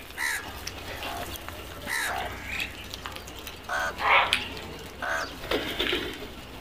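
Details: Several crows give rough, nasal caws in irregular bursts, some overlapping. A steady hiss and low rumble run underneath throughout.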